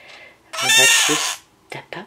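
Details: While being asked to step up, a pet male scarlet-chested parakeet lets out a loud rough rasping cry lasting under a second, followed by two short clicks, with a woman speaking softly indoors.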